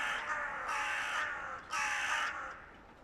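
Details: Two long, hoarse caws, each about half a second, given by hooded crows of two rival clans making a racket just before the breeding season.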